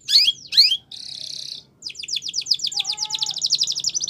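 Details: Canary song in Spanish Timbrado style for training, with two loud sweeping notes, a steady buzzy roll, then a long accelerating trill of sharp repeated notes.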